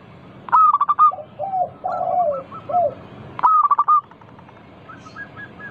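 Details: Local zebra dove in vigorous song, used to coax other doves to sing: two loud stuttering bursts of sharp notes, each followed by softer purring coos and a faint rippling trill.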